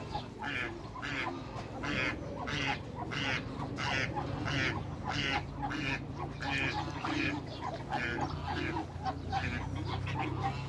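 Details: Hybrid Cayuga and mallard ducks meeting other ducks, giving a steady run of nasal, buzzy quacks roughly every half second, with other farm birds calling faintly in the background.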